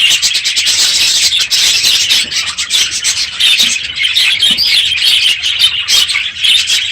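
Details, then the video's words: Budgerigars crowding an aviary at the end of the breeding season, very loud this morning; overlapping high chirps, squeaks and scratchy warbling throughout, with occasional wingbeats. "My Budgies Today - NOISY birds this morning!"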